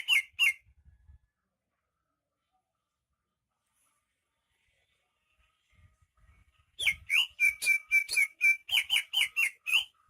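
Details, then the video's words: Energetic greater green leafbird, a rare Banyuwangi native: two quick chirps, a long silent gap, then a rapid burst of a dozen clear, ringing notes repeated several times a second. "Suara kicauan burung cucak ijo KTP Banyuwangi gacor"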